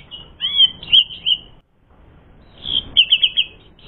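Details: Asian pied starling song used as a lure to provoke fighting: high whistled and chattering phrases around four kilohertz in two bursts separated by a short pause, with quick repeated notes in the second burst.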